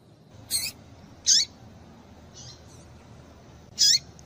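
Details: Calls of a female double-collared seedeater used to excite the male: three high, piercing notes, each dropping sharply in pitch, spaced about a second or more apart, with a soft, fainter chirp in between.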